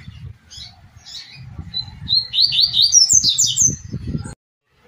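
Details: Double-collared seedeater singing in the Tui Tui style, from a training recording for captive birds. Quick, rising chains of bright, slurred whistles sound over low hum and thumping, then cut off abruptly.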